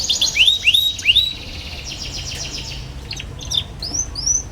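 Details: Young canary twittering, a song used to prompt young canaries learning to sing: three loud downslurred chirps, a quieter buzzy trill, then a few soft rising whistles.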